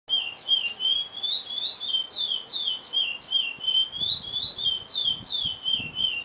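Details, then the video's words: A chestnut-bellied seed finch, still in immature plumage, sings a Bilutetéia-style song: a steady run of clear, high whistled notes, about three per second, with soft low knocks in the background. "Curió Bilutetéia ainda pintado"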